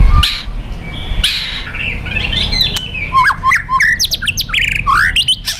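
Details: White-rumped shama, fighter type, singing kretekan and tembakan to rouse another shama: after low rumbling noise, a quick series of sharp rising whistles and chirps builds in the second half.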